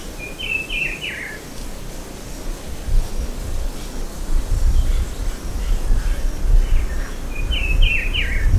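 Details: Rufous-browed Peppershrike (Cyclarhis gujanensis), Comandatuba Island, Bahia, Brazil, October 2023: short, rich whistled phrase of descending notes, heard twice about seven seconds apart over steady low rumbling background noise.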